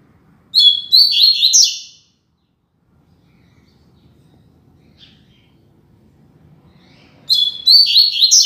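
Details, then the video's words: Two phrases of the Tui Tui Zel Zel classic song of a double-collared seedeater, used to teach young birds: each is a burst of high twittering whistles and buzzy chips, separated by about five seconds of near silence. "Encarte Tui Tui Zel Zel Canto Clássico Ideal Para Encarte e Treino de Coleiros e Papacapim!!!"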